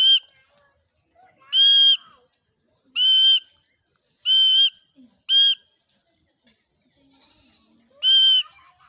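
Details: Village Indian ringneck parrot in Mewar, India, in a very happy mood gives six loud, grating squawks, each short and richly harmonic, at uneven gaps of one to three seconds, with faint background sounds between calls.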